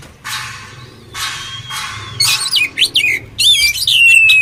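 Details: Oriental magpie-robin song used for training birds: a few broad raspy bursts, then sweeping whistled notes and a long high steady whistle near the end.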